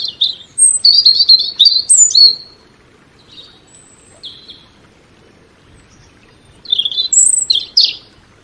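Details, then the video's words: A European robin sings varied high phrases: a fast burst of trilling, warbled notes, a pause with a few soft thin whistles, then another bright tumbling phrase with sharp high notes near the end. "Relaxing Birdsong European Robin"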